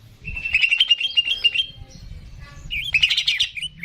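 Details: Greater green leafbird, kept bird, song used to stimulate other birds to sing: rapid repeated chirpy notes around a steady high whistle, a short pause, then another burst of fast tumbling notes.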